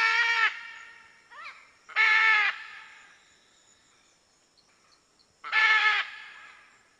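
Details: Three loud grating squawks from a red-and-green macaw, each about half a second long, with a fainter, shorter wavering call between the first two and quiet gaps between them.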